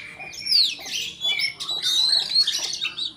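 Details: White-rumped shama song meant to provoke a rival into singing hard: dense run of varied whistles and buzzy notes between 2 and 8k, with bright rising and falling whistled phrases, nearly continuous over three seconds.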